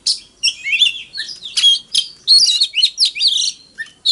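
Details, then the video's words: Fighting song from a decoy Oriental magpie-robin, meant to stimulate rival birds; a dense, scratchy run of high warbled and buzzy notes with a few lower whistled slurs, nearly continuous. "Choè than hót múa . Tiếng than mồi hót đấu .kích choè than hót sáng"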